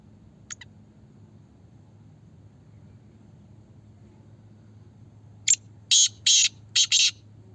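Black francolin giving a loud, harsh grating phrase: a short clipped note, then three or four rasping bursts in quick succession, over a low background hum.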